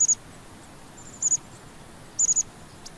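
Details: High, thin, rapid trilled notes from a long-tailed tit in three short bursts, each a tight cluster of two or three sibilant pulses, with quiet hiss between.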